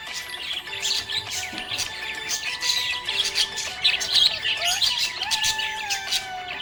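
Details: Happy budgerigar chirping: busy, warbling high chirps and twittering notes in quick irregular bursts over steady music with sustained tones throughout.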